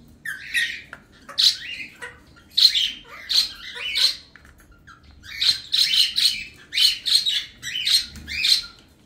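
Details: Two captive male cockatiel siblings bask in sunlight beside their chicks. Harsh, raspy, high squawks come in bursts of one to three, about fourteen in all, separated by short pauses in a quiet indoor setting.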